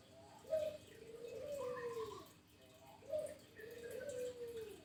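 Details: Local zebra dove in full song gives two mellow cooing phrases, each opening with a brief clipped note and sliding into a long, arching, falling coo, with a constant faint hum behind.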